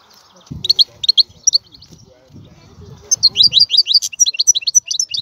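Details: European goldfinch with a few soft chirps over faint low background sounds, then bright, rapid twittering song with liquid high notes in the second half.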